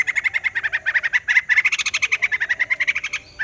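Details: White-crested laughingthrush song: a long, bubbling run of repeated cackling notes at a fairly even pace, swelling in the middle into a denser, louder laughing chatter before a brief pause and one final note.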